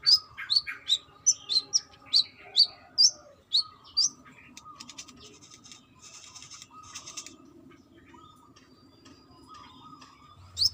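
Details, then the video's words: Female brown-throated sunbird calling to a male: about ten quick, high, piercing chips in four seconds, then a lull with faint rustling and a steady low hum, and one last chip at the close. "BURUNG KOLIBRI KELAPA TROTOL GACOR || KOLIBRI MANGGAR GACOR"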